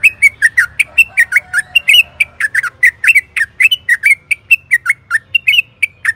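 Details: Yellow-vented bulbul singing a long, unbroken run of liquid, bubbly whistled notes, each slurring up or down, delivered rapidly and steadily as a lure to stir cage birds into song.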